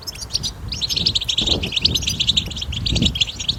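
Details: European goldfinch singing its betbeta song in the wild, meant to prompt goldfinches to sing: a fast unbroken stream of sparkling, liquid chirps and short trills, with slight low rumbling behind.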